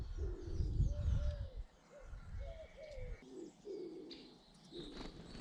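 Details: British garden birds: low, soft cooing phrases in rounded arcs repeat through the first half, with thin high chirps and twittering notes above and low rumbling background noise.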